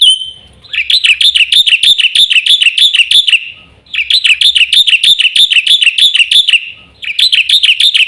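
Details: Black-winged myna repeating three long bursts of rapid, piercing, metallic chirps, about three notes a second, with short quiet gaps between bursts.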